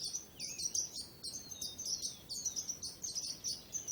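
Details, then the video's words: Thin, high bird chirps, some swooping down and others flat and clipped, sound over a steady hiss of background noise at a low overall level. "Bird Sounds"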